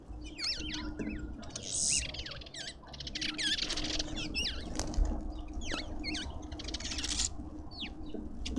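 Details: Several lovebirds call at a garden feeder in suburban Pretoria, South Africa. Sharp, swooping squeaky chirps come in loose clusters over steady low rumble and scattered scratchy noises.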